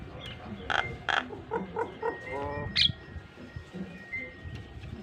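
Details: Nias hill myna model song for pet myna training: broad harsh bursts followed by a series of short ringing notes and a sharp high whistle, with low background rumble and music.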